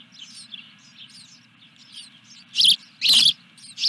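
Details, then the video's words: Fish delivery at an osprey nest, 14 July 2021, evening; soft high chirps at first, then loud harsh bursts with broad scratchy noise near the end, over a low hum. "Osprey Video_2021-07-14_212333-Fish #3"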